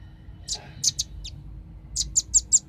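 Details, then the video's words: Irregular sharp, high chipping calls of a velvet-fronted nuthatch from a bird-luring recording, a few notes in a loose cluster, a short gap, then four quicker chips. "suara pikat burung rambatan ribut suara jernih"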